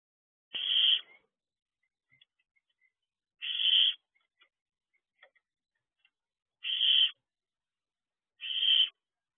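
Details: Barn owl owlets outside their nest box at 3 am, filmed unedited in nature; four loud broadband rasping hisses about three seconds apart, with faint soft ticks between them and otherwise a silent night.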